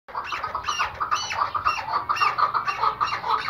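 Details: Iraqi white-banded hunting chukar partridge calling: a rapid run of harsh, clucking chuk notes, about three per second, each with a bright upper overtone, steady and loud throughout.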